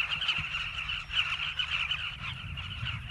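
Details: A nesting colony of Southern carmine bee-eaters in South Luangwa National Park, Zambia, calls loudly, dozens of birds overlapping in a steady, rapid stream of throaty, rolling chirps.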